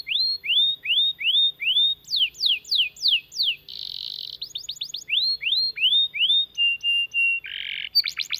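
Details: Long canary song used as a model for training other canaries and coaxing them into song: a series of rising whistled sweeps, sharper falling notes, a buzzy burst, a flat whistled tone and another harsh buzz.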